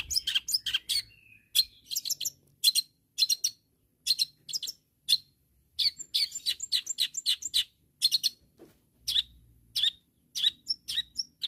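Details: Long-tailed shrike calling out rivals in lively bursts of rasping, chattering notes grouped in clusters of three to six with short gaps between, plus one thin whistled note early on.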